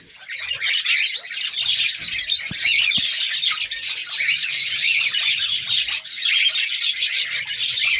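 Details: Kakariki female ready to mate: fast, harsh, high chattering with rapid squeaky notes, swelling in after a quiet start and running almost without break for eight seconds.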